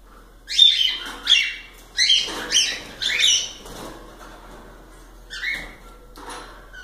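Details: Cockatiels kept as pets, singing a quick run of four sharp harmonic chirps about half a second apart, then quieter scattered upslurred notes after a pause.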